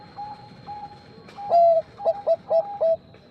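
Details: Bangkok-type zebra dove calling out to a rival: soft spaced coos give way to one long loud coo and then a rapid string of short punchy notes, with a continuous high-pitched electronic tone behind.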